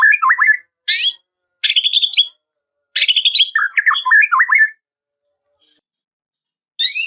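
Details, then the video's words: Rival-provoking song of a white-rumped shama with rich varied phrasing: short bursts of looping whistles and chattery notes separated by silent gaps, ending with a high sweeping phrase. "KICAUAN SUARA MURAI INI MEMANGGIL LAWAN"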